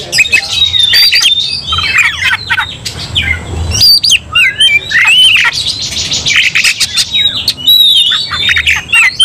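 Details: White-rumped shama stirred into aggression, singing a fighting song of quick whistled slurs, buzzy chatter and percussive clicks, continuous and loud throughout.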